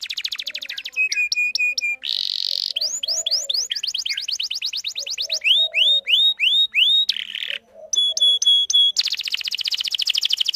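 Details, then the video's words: Canary song used as a lure to train young canaries to sing and to draw males: high trills of rapid repeated notes, buzzy rolls and runs of rising whistled notes, switching phrases every second or two, with no other sounds. "Pancingan Kenari Paud Belajar Bunyi"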